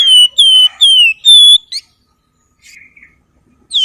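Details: Flowerpecker giving nyuling, flute-like song: four clear, loud whistled notes, each sliding gently downward, then a brief squeak, a soft faint note and a final rising whistle.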